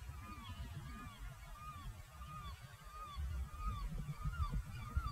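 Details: Great Black-backed Gull at Jülich, Germany: a faint series of about nine short, downslurred, nasal calls, evenly spaced, half buried under a loud low wind rumble.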